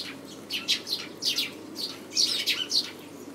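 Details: Japanese white-eye recorded at home, a run of high, thin chirps and slurred twittering notes, several closely spaced, over faint background hum.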